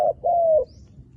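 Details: A wild dove gives a brief end of a short hoot, then a single sustained mellow coo lasting about half a second that falls slightly in pitch at the close.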